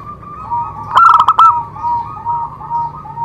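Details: Zebra dove song meant to prompt other doves to sing: a single burst of rapid, clipped coos ending in a held note, framed by softer wavering coos from another dove and a faint low hum.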